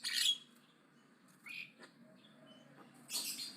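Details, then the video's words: Javan myna, aggressive and loud: a rasping burst, short squeaky chirps, a thin whistle, then another harsh rasp. "BURUNG JALAK KEBO AGRESIF NGOCEH KENCENG"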